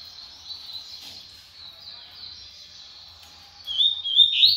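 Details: Fast double-collared seedeater song: a long, steady stream of thin, high twittering that swells into sharper, louder rapid notes at the end.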